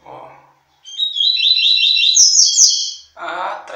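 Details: Double-collared seedeater courting a female with song: a run of fast, evenly repeated high warbled notes climbing toward a brighter shrill finish over about two seconds, with people talking just before and after.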